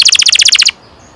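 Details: Canary, kenari, giving a short rolling trill: about a dozen quick bright repeated notes in under a second, then sudden silence.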